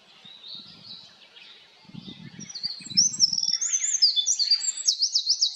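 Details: Wren, Troglodytes troglodytes, in song on a highland plateau: a soft high warbling start builds into a fast, ringing series of trilled and zigzagging notes, with a few low rumbling sounds in the background.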